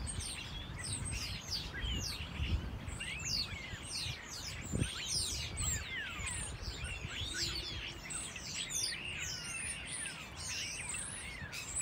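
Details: Starlings singing on Whitchurch Green, a protected town green field in South Bristol, in December 2021; a dense overlapping chorus of varied whistles, rising and falling slurs and chatter, with a low background rumble.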